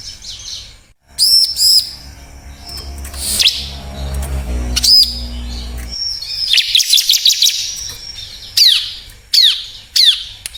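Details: Bar-winged prinia song, used as a lure to provoke reluctant birds into singing: sharp, high, downslurred chirps in quick bursts, with abrupt breaks between sections and a low rumbling noise under the middle part.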